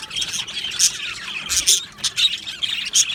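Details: Australian budgie colony in an aviary: scratchy squawks mixed with short whistled chirps, loud bursts roughly every half second over a constant background twitter.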